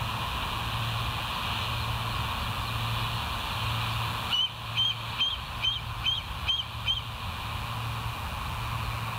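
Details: Bald eagles at West End, filmed by a live nature camera on 16 September 2023 at 22:50; midway, a faint run of about eight short, high, squeaky notes, roughly two per second, rises over a steady low electrical hum.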